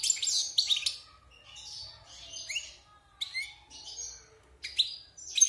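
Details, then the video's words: Short stuttering phrases from a wild-caught European goldfinch kept caged six months after moult: clipped chirps, soft buzzy notes and a few high sharp squeaks with brief gaps. "Chant de Chardonneret sauvage (Repassage)|غناء حسون خلوي خارج من تغير الريش"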